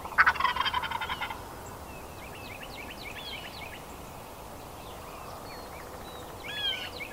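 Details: A male wild turkey (big gobbler) in spring lets out one loud, fast, rattling gobble lasting about a second during a hunt; afterward, small songbirds chirp thinly and high in the background.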